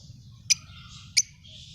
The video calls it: Love birds chirping sound